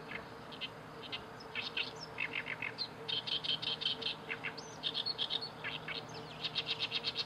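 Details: Oriental reed warbler singing on 31 May 2012, a long, loud, varied run of harsh grating phrases, each syllable repeated several times in quick chattering series, over a faint steady background hum.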